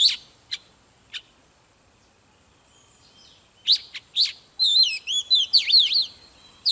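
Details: Oriental magpie-robin giving fired-up, intense song: a few isolated sharp chips and a brief quiet pause, then dense clusters of loud notes and rapid twisting whistles sweeping up and down, ending in another sharp chip.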